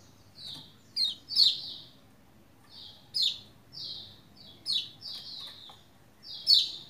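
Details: Lombok white-eye singing energetically to coax other white-eyes into song; high clustered chirps and falling slurred notes in bursts, with loud peaks near one and a half, three, five and six and a half seconds.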